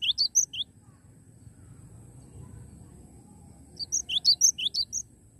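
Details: Actively singing cinereous tit, recorded live: a short burst of sharp rising chirps and high whistles, a silent gap with low background hum, then another brisk burst of alternating notes.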